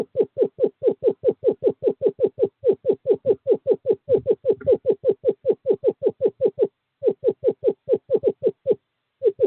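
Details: Male screech owl at an owl box in courting season, 2/11/2023, calling to a female: a long, even trill of rapid, falling notes, briefly paused before resuming.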